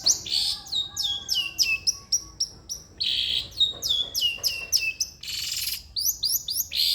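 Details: Long-tailed shrike, song meant to stimulate a lazy shrike: fast series of sharp descending whistles mixed with several harsh, hissing rasps, continuous and energetic.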